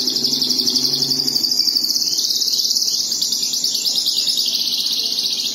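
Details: Caged domestic canary song, a fast continuous rolling trill of rapid high pulses, about three per second in groups, wavering slightly in pitch throughout with no pause.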